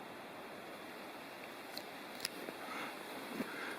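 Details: Steady broadband hiss like wind or rushing water, with a few faint clicks and rustles and no animal voice.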